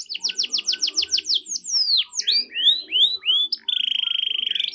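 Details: Canary in energetic song, used to prompt a reluctant canary to answer: fast falling chirps, slower curved whistled sweeps, then a steady rapid trill, over faint low background hum.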